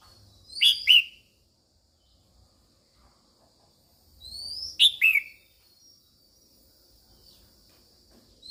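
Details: Female red-whiskered bulbul singing to stimulate males, with two-note phrases of clear, downslurred whistles repeated about four seconds apart, each introduced by a thin rising whistle.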